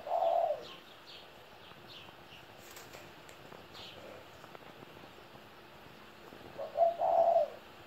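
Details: Spotted dove, a 17-year-old kept bird, utters two short, low, husky coos, one at the start and one near the end. The gap between them holds quiet background with scattered faint high-pitched chirps.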